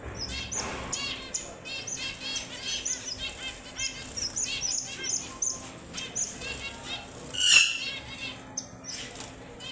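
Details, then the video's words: Strawberry finch or red avadavat singing a run of high sweet whistles mixed with buzzy trills, several birds overlapping, with a brief loud flutter or rustle near the end. "The Sweetest Sounds of the Strawberry Finch & Red Avadavat"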